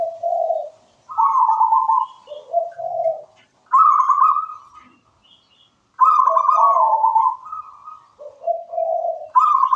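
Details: Local zebra dove (perkutut) singing: melodious cooing phrases repeated about every two to three seconds, each with low throaty notes jumping to higher, vibrating coos, separated by short silences.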